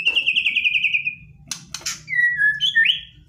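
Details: White-rumped shama, aggressive song to provoke a response: a fast trill gliding downward, a pair of sharp clicks, then short whistled slurs rising and falling.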